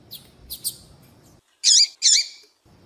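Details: Calling to attract males, a female double-collared seedeater gives a few faint high chips, a short pause, then two loud full chirps that swoop downward and curl upward.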